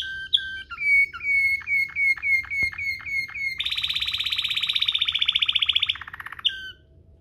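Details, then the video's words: Waterslager canary singing rolling 'ngerol' song for tutoring canaries: repeated clear notes with sharp downward tails, then a long, rapid, dense high roll lasting over two seconds, ending in a short rising note. "NGEROL MEWAH ala WATERSLAGER, cocok buat Masteran burung kenari cengkok mewah"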